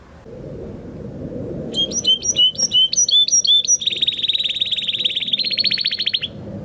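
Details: After a few seconds of low room noise, a Spanish Timbrado canary from 2020 breeding sings training song: crisp repeated two-part whistled notes followed by a long, even, fast rattling trill.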